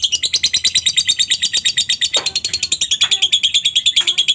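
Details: Lovebird ngekek song used to lure other lovebirds into singing: continuous rapid shrill chattering, about seven notes per second, with a few brief lower squeaks mixed in.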